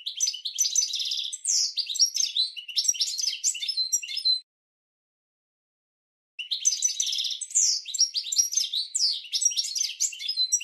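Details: European goldfinch singing a training song for cage birds, two long bouts of rapid, bubbling twitters and buzzy trilled notes split by a two-second silence.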